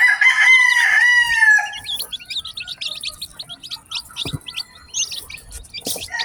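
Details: Newly hatched chicken chicks in a batch, kept on a farm. A loud, drawn-out harmonic cry fills the first second and a half, then many short, high chirps follow in rapid, overlapping succession.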